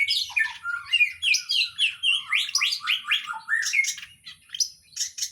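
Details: A cendet, or long-tailed shrike, in full mimicry-filled song. Busy, scratchy chatter and bright whistled snippets roll out in quick succession, swooping up and down, roughly three or four notes each second.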